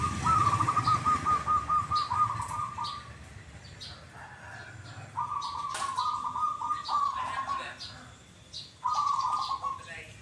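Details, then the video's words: Perkutut or zebra dove, noted for a kuk kuk song given twice, repeats long rolling, bubbling coos with short pauses, accompanied by clicks, a flutter and low background hum. "PERKUTUT YANG SUARANYA KUK, KUK /KUK 2 / ( DUA) KALI"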